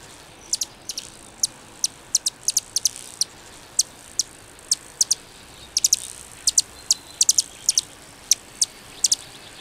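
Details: Calliope hummingbird song: very high, thin, sharp ticks and short buzzy chips repeated irregularly, often in quick doubles, with brief higher squeaky bursts midway, over a quiet background.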